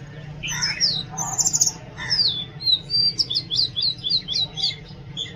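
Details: Oriental magpie-robin singing: a few rich scratchy notes, then a run of bright, sweet whistles that slur downward, repeated about twice a second, with a low background hum.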